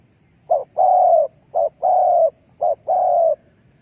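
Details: Spotted dove calling as a decoy for trapping wild doves: three evenly spaced pairs, each a short soft coo leading into a longer sustained mellow coo that tapers downward, background otherwise quiet.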